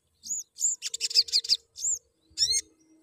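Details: Crimson sunbird chirping, used to get other sunbirds singing: a quick run of high, sharp, twittering notes between single upslurred chirps, with a faint low hum underneath.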